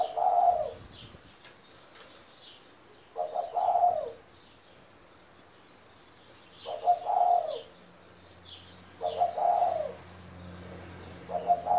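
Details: A kept spotted dove, 17 years old, coos in short throaty bursts spaced a few seconds apart. Faint chirping of other birds runs underneath, and a low rumbling hum enters in the second half.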